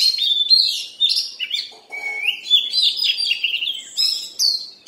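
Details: Oriental magpie-robin during its molt delivers a dense, fast medley of high whistles and buzzy chirps, with one rising slurred note near the middle.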